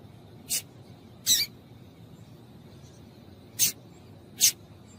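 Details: Female Double-collared seedeater call meant to stimulate male singing: four isolated, very short, high, sharp chips, widely spaced with quiet gaps between them.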